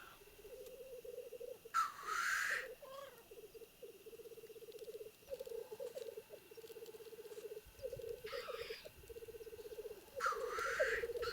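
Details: Displaying male black grouse fight rivals at a wild lek in the Trans-Urals; continuous low bubbling rookooing pulses on, punctuated by three loud breathy hissing sneezes.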